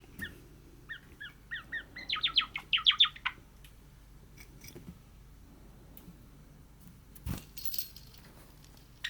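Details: Pet cream Java sparrow practising its song: a few soft paired chirps, then a short burst of quick, rising clipped notes around the two-second mark, followed by quiet room noise and a faint rattle.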